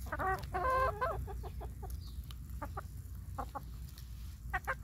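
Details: Chickens fed corn on a rainy day, giving a burst of harmonic squawking clucks followed by short repeated clucks at an uneven pace, with steady rain patter underneath.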